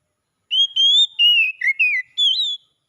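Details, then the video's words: Oriental magpie-robin (kacer) song meant to restore a bird that has stopped singing; a clean phrase of six sweet whistled notes, some level, some sliding down, delivered in about two seconds against silence. "KICAUAN PEMULIHAN KACER MACET CEPAT GACOR"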